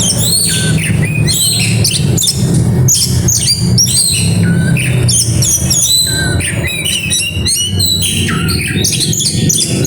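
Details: Oriental magpie-robin giving a grabakan song with isian: continuous, rapid, varied high whistles, trills and down-slurred notes, with steady low-pitched background music or noise underneath.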